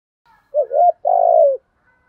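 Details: Caged spotted dove song, male and female birds, in the giọng Thổ and hạp bôi styles used to train cage doves. One phrase: two quick curling coos run into a long, steady, gently falling coo, with silence around it.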